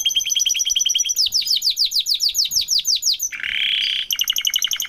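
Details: Canary parents and chick, with fast sweeping trilled phrases of repeated notes and a brief harsh buzzy burst, followed by another rapid high trill.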